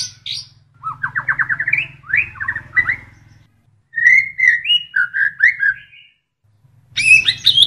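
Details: White-rumped shama, used as a tutor recording, singing a varied full song: a fast rattled series of rising notes, then clear whistled phrases, and a burst of high chirps at the end, over a steady low hum.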